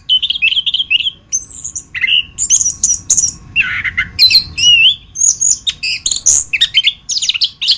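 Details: Masteran song of an orange-headed thrush (anis kembang), used to tutor birds: quick changing phrases of bright whistles, slurred rising and falling notes and scratchy chirps, delivered in steady bursts.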